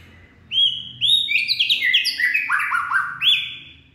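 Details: Late-afternoon song of a purebred white-rumped shama, 18 February 2024: two rich rising whistles, then a fast run of descending whistled phrases ending in a bright upslurred note, with a soft low drone behind.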